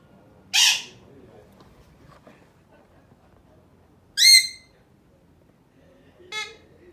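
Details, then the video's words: Male pet Alexandrine parakeet showing off its sounds; one harsh broad squawk, then a loud tonal whistled call, and a softer short harmonic call near the end, quiet background between. "Alexandrine singing and making sounds"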